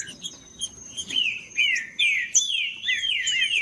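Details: Green-winged saltator song for warming up quiet saltators: scratchy, then fuller slurred whistles that rise and fall in a rolling phrase, with a faint steady high tone behind.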